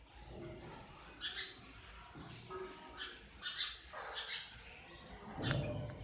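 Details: Sparrows calling in natural surroundings: short, bright, harsh chirps in irregular bursts, several close together, over a low background rumble and a steady high hum.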